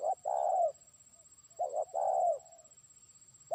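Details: Trained decoy spotted dove calling a distant rival, giving long rolling coos with short lead notes, the phrases closer together and a bit fainter, over a low background hum.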